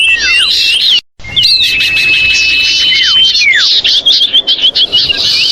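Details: Common iora lure call of the noisy, screaming style, used to bring wary birds down: loud clear whistles, one long steady note, sharp downward-swooping slurs and rapid chirps crowding together, with a short silent gap near the start.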